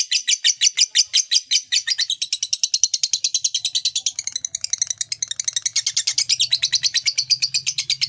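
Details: Long 'ngekek' trill from a lovebird, used to spur other lovebirds to sing: an extended, rapid, buzzy chatter of high repeated notes, steady and unbroken for over eight seconds, with a faint low hum underneath.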